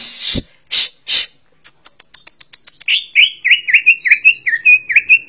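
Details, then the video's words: Greater green leafbird starts with harsh rasping calls, runs into a rapid ticking series, then pours out a lively sequence of varied, bouncing whistled notes rising and falling in pitch. "CUCAK HIJAU - Burung Ccucak Ijo 23"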